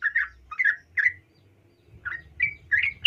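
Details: Female yellow-vented bulbul calling a male: three short, gurgling chirps, a pause of about a second, then four more rising, whistled notes over faint low background noise.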